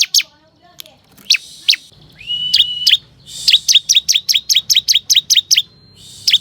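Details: Bar-winged prinia (ciblek kristal) song used as a lure to call wild forest birds: sharp high chirps, a drawn-out level whistle, then a rapid run of about a dozen clipped, downslurred notes in quick succession.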